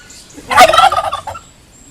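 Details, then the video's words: A courting turkey gobbles once: a fast, rattling, burbling run of notes lasting about a second, loudest at the start and trailing off, over quiet background. "Lustige Truthahnrufe | Funny turkey sounds"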